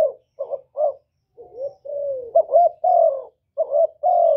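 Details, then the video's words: Cooing of a Spotted dove used as a lure for caged doves: a few short broken coos, a pause, then a run of longer drawn-out falling notes and paired coos. "Cu gáy lớn tiếng, không tạp âm, giọng hay dễ mở, cu gáy kích bổi, cu gáy đi bẩy, cu đất gáy, cu cườm"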